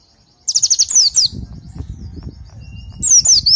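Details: Oriental white-eye song used as a training recording: a rapid run of high, sharply descending whistled notes, then a fainter stretch and a second short burst of falling whistles near the end.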